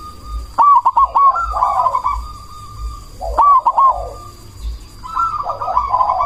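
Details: Loud cemani zebra dove lure song to provoke answering doves and raise breeding drive; three bursts of clipped clicks leading into warbling rolled coos, spaced roughly two to three seconds apart, over a constant high tone.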